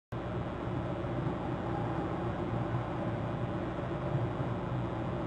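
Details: Steady low rumbling broadband noise, like wind or distant traffic over water, runs throughout with no animal calls.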